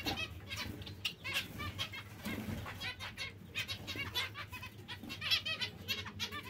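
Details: Busy chatter of zebra finches: many brief, nasal, trumpet-like beeps and clipped chirps tumbling over each other without pause, a faint low hum underneath and occasional soft thumps.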